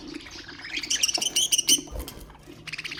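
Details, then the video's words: Budgerigar warbling to stimulate other birds: a rising run of buzzy, ringing chirps peaks midway, followed by a pause, a low thump and a brief trill at the end. "اقوى أصوات طيور البادجي طيور الزينة أصوات تحفيز الطيور"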